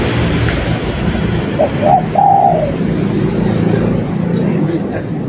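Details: Spotted dove coo: two short introductory notes followed by a long, smooth, downward-sliding coo, heard over a continuous low hum.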